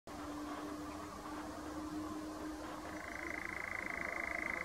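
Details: A European nightjar on Ideford Common gives its dry, mechanical churr, a fast even trill that comes in and shifts higher partway through, over a steady low hum like a distant engine.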